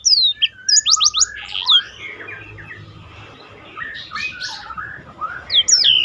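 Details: Roll-style black-throated canary song used to train contest birds: quick high whistled strokes at the start, then softer, blurred chattering notes, ending with a sharp rising whistle.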